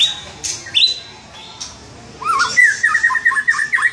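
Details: White-rumped shama, a lively singing bird, gives a few separated high whistles, then after a pause breaks into a fast run of warbled, wavering notes.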